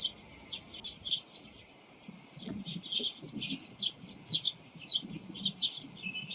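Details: Several wild Eurasian tree sparrows calling in the morning, song and calls mixed so closely they are hard to tell apart. Soft, high 'chun' chirps come in quick irregular bursts over a low background rumble.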